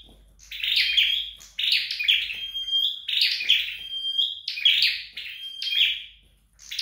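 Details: Scarlet-backed flowerpecker at home during training, singing five quick phrases of buzzy high chips that end in a sustained thin whistle, delivered roughly once a second with no other sounds.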